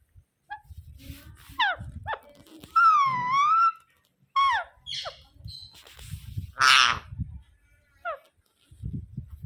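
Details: Rose-ringed parakeet making a long wavering, rising-and-falling harmonic note between several steeply falling squeaks, plus a harsh noisy screech, over low background rumble.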